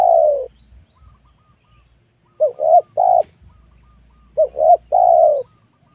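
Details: Wild spotted doves on newly opened land with young oil palms; a long falling coo, a pause, then twice the phrase of two quick hoots and a drawn-out mellow coo.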